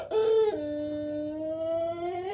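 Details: A six-month-old Pelung chicken's developing crow: a brief higher note drops to a long, smooth, sustained tone that slowly rises toward the end.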